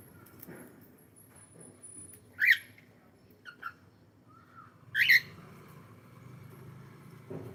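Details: Pet cockatiel calling indoors during a live stream: two loud, harsh, chirping calls rich in overtones, about two and a half seconds apart, with softer short notes between them over a low room hum.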